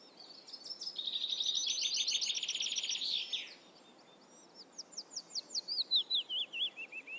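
Eurasian reed warbler song: a fast, chattering run of repeated scratchy notes, then a slower series of clear, sliding whistles stepping downward, over soft background hiss.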